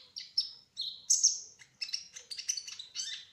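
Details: Kolibri ninja (brown-throated sunbird), trotol speckled form, in full rolling gacor song: high piercing whistles, one dropping lower, then a fast jumble of twittering chirps.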